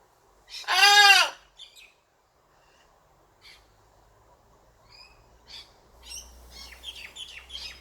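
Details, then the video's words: Single short, harsh squawk from a playful pet blue-and-gold macaw, rising then falling, followed by quiet scattered chirps of small birds and a low hum. "Macaw laughing, squawking, talking and playing"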